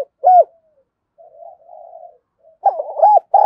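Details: Decoy spotted dove calling to bring in wild doves: a single arched coo, a soft murmured stretch, then the start of a louder rolling cooing phrase.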